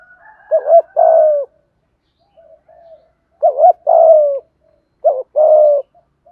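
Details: Spotted dove in the 'thúc gù' urging coo style, meant to stir wild and decoy doves to coo. Three low cooing phrases of a short wavering double note then a sustained hum-like coo, with quiet murmurs between. Otherwise silent.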